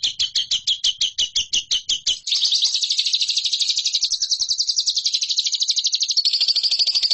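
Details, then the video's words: Competition-training song of a lovebird: about a dozen sharp separate chirps, each roughly a fifth of a second apart, then a dense unbroken buzzy chatter that runs on for five seconds. "MASTERAN LOVEBIRD"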